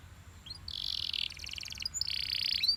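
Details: Yellow Belgian canary song, quieter and slightly distant: sustained buzzy high phrases broken by a rapid rattling trill, with a faint background hiss.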